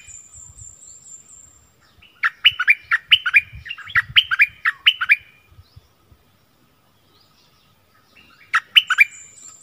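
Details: Streak-eared bulbul kept as a decoy bird, 16 February 2021: quick bubbly phrases of rising and falling chirps over about three seconds, a quiet gap, then a shorter burst, with a high thin buzz and low rustles.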